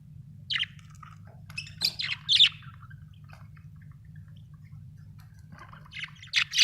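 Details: Budgerigars giving a few scattered bright chirps, some squeaky and slurred, separated by long quiet gaps, then a fresh burst of chirping at the end, with a constant low hum in the background.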